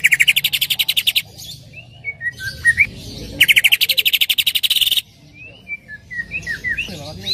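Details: Greater green leafbird song used as a lure to prompt another leafbird to sing: two loud rapid buzzy trill bursts separated by varied sliding whistled notes, some rising sharply.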